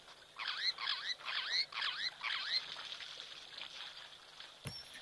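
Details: Meves's long-tailed starlings at a waterhole give a quick run of nasal, down-slurred calls, about five in two seconds, then softer calls trail off before a sharp click; their call is the predominant one heard.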